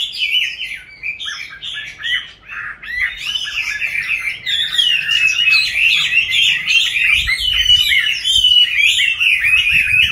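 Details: Chinese hwamei kept in a cage from youth to its fifth year pours out a long, fast, rambling song of twisting whistles about three to four notes a second, growing steadier and louder in the second half.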